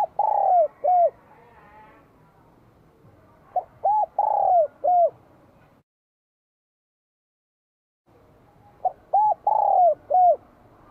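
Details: Spotted dove in Vietnam, a bell-voiced singer in spring 2023, gives three mellow cooing phrases of about four notes each. The middle note is long and descending. Phrases come near the start, middle and end, with a silent gap between.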